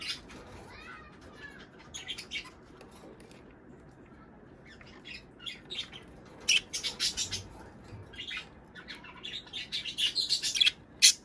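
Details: Budgerigars squawking and chattering, played to get pairs breeding: after sparse chirps, harsh high squawks and scratchy warbles build into a dense, excited run toward the end.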